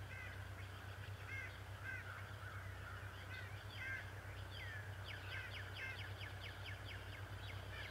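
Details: Male bald eagle at Decorah, March 2018 morning: a few scattered high chirps at first, then a rapid, evenly spaced chittering series building in the second half, with a low hum throughout.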